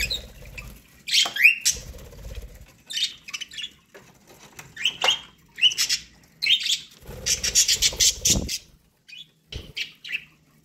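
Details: Domestic budgies munching corn produce scattered high chirps and rapid chattering phrases, a dense buzzy run near the middle, plus occasional wing flutter and pecking.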